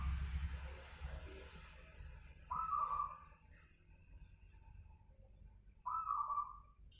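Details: At night a local zebra dove gives two separate trilled coos a few seconds apart, each a brief rising purr that fades, with quiet low background noise between them.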